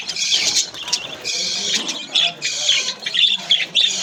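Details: A colony of caged budgerigars in an aviary, playing and eating, keeps up a busy high chatter of overlapping chirps and warbled squawks in short bursts with no pause.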